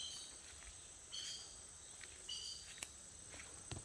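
Fiery-billed aracari giving short, sharp, squeaky notes about once a second, over a steady high insect drone and a few faint clicks.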